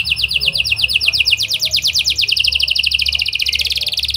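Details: Domestic canary, a prolific singer with song phrases in the style of lovebird and prenjak, used as a lure to set other canaries singing long; fast rattling trills of high rising notes, sliding into denser, quicker trills midway.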